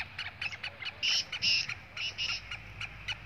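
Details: Kala teetar, the black francolin, giving a loud, harsh, scratchy call: clipped notes building into strong rasping bursts, repeated in a quick, uneven rhythm with faint low background noise.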